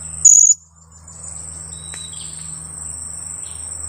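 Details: Young blue-crowned hanging parrot, two weeks old, used as a lure bird, gives one loud, shrill, high-pitched note lasting about a quarter second over a constant buzzing insect chorus.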